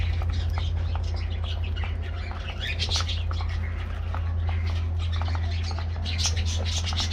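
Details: Colorful budgies at their morning treat make a busy flock chatter of squeaky, warbling notes and clicks, partly masked by a constant deep droning hum.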